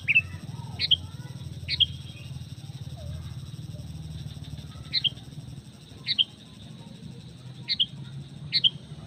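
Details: Sooty-headed bulbul lure call for other bulbuls, short high double whistles falling slightly, repeated at irregular gaps against a fairly loud low rumbling background.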